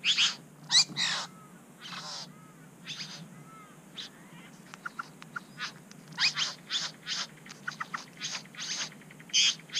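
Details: Satin Bowerbird at its bower in NSW, Australia, where the owner charged and pecked a camera and tidied his bower: scattered sharp clicks, brief buzzy bursts and faint thin whistles, busier toward the end.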